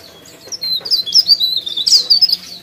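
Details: Pare pare leaf warbler in lively song: a short, dense burst of high, squeaky warbled notes, quickly rising and falling. The notes become louder and more rapid toward the end.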